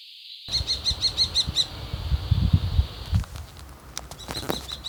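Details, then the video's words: Common kestrel giving a fast run of shrill, repeated kee notes, roughly eight in a second, over a steady high tone, followed by low rumbling background noise and brief high calls toward the end. "Cri du FAUCON CRÉCERELLE"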